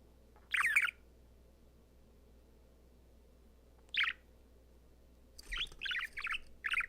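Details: A happy male pet budgerigar singing to his favourite ball in front of a mirror gives scratchy, bright chirps in short bursts separated by pauses.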